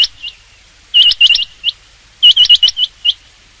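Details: Rain quail calling in rapid bursts of four or five ringing, metallic notes run together, two such bursts separated by a short pause, the later notes trailing off slightly softer.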